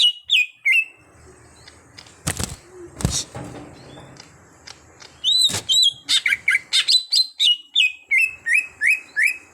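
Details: Caged green leafbird under training to become a keen singer: a few chirps, two loud broad clattering knocks, then a quick even sequence of bright repeated chirps near the end.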